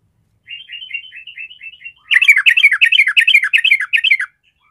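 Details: Yellow-vented bulbul, a fighting-type bird, gives a soft run of quick chirps, then a loud, bubbly burst of about a dozen rich, rolling notes in two seconds.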